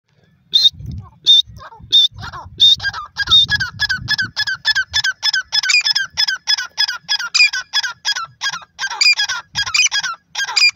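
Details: Partridge in grass calling: a long series of sharp, squeaky, high notes repeated about one and a half times per second, each note rising and falling, with faint low thumps early on.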